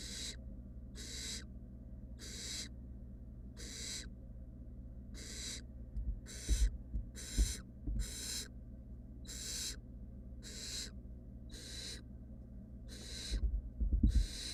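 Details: Three wild barn owl nestlings in a monitored nest box keep up a fast series of about fifteen short, raspy hisses, nearly one a second, mixed with occasional low thuds of movement.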